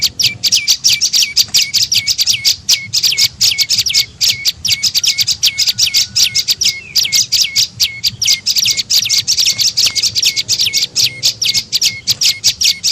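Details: Tailorbird known locally as prenjak lumut, giving a lure call for attracting birds: long unbroken bursts of rapid high downward-hooked notes, a brief lull near the middle, then the fast series resumes.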